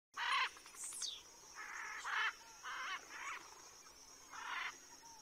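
Southern rough-winged swallow giving short, rough, buzzy notes in brief bursts, about one every second, with a thin high whistle near the start and a steady insect hiss behind.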